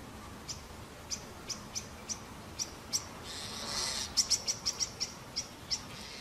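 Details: At a white-cheeked starling nest with young: a rapid series of short, sharp high chirps repeated roughly three per second, briefly interrupted by a softer rushing sound.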